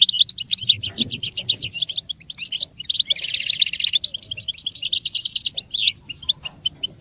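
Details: American goldfinch singing, a recording used to train chicks: quick repeated chip notes, a few clean whistles, then a buzzy rattling trill and a sharp rising slur near the end.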